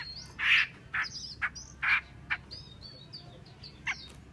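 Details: Female Chinese hwamei making loud, rasping, scratchy bursts about every half second, separated by thin high whistled slurs, with a quiet hum behind.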